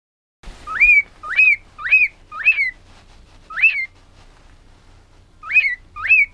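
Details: Male white-faced cockatiel (Nymphicus hollandicus) singing to a jacket sleeve: whistles a looping, rising-then-falling phrase over and over in quick succession.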